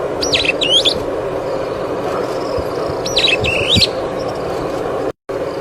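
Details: Superb starling (Lamprotornis superbus) call, two short bursts of high, chattering whistled notes about three seconds apart over a steady background hum; from a webcam.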